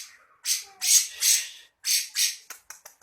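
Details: Grey-cheeked bulbul in full besetan style, a harsh chattering song, gives a string of rough, hissing bursts, some longer and some clipped short, separated by brief silences.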